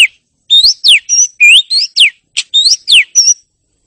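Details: Mental-therapy audio of kacer, the oriental magpie-robin: a lively run of loud whistles alternating between upward slurs and sharp downward sweeps, with one brief, short-note break.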